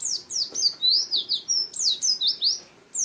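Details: Kept white-eye (pleci) pouring out a quick chain of thin, high, slurred tweets, dipping and rising, including a brief level whistle, before falling silent near the end.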